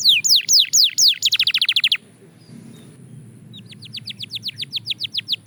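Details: Belgian canary in singing practice, fast-tempo song: several high descending whistled sweeps, a quick run of short notes, a near-silent pause of about two seconds, then a steady repeated series of sharp downward notes.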